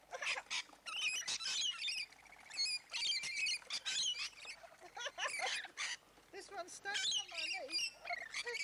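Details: Hundreds of rainbow lorikeets screech in continuous harsh, shrill, overlapping chatter in Lane Cove National Park, some squabbling within the crowd, with a person's voice briefly audible underneath.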